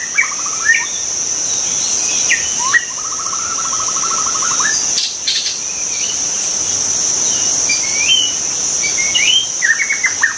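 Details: Song of a wild white-rumped shama: clear whistles, a rapid even trill of repeated notes lasting about two seconds, then scattered rising phrases, all against a continuous high insect buzz.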